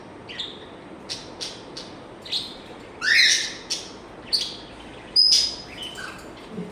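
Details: Pet African grey parrot making a varied string of short clicks, chirps and sharp squeaks, with one louder swooping squawk and a high, piercing whistle near the end.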